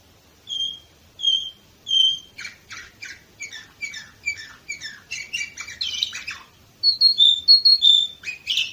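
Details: Song of a canary, Varna, Bulgaria, 2018: three slow clear whistled notes, then a rapid repeated chip series, a rolling trill, and ringing high whistles at the end.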